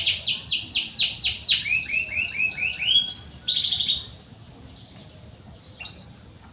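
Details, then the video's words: Canary song played to encourage silent canaries: bright rapid trills of sweeping notes for about four seconds, then near silence broken by one short high phrase. "PANCINGAN BURUNG KENARI SUARA CUIT CUIT"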